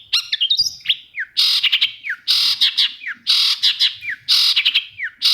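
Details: Long-tailed shrike song used to prompt silent shrikes to sing: opening high chattering notes, then loud harsh buzzy bursts, each ending in a quick downward whistled slide, repeated about once a second.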